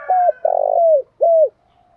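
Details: Spotted dove singing in the voice style called "thổ pha đồng". One partial coo phrase: a short clear note, then a long rolling, purring note, then a falling coo. Otherwise quiet.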